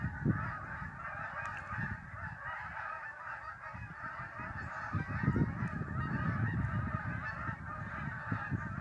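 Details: A northern New York flock of migrating geese on Lake Champlain keeps up a constant overlapping honking, while gusty low-pitched wind rumble rises and falls over the calls.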